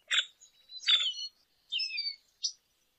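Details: Lesser goldfinch giving a few separated phrases: a sharp high chirp, a slurred buzzy twitter, a descending whistled slur, and a short final note, with quiet gaps between them.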